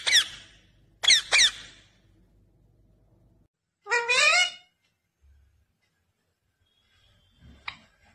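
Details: Talking parrot giving sharp paired squawks, then a harmonic, rising speech-like phrase, followed by silence and a short faint chirp.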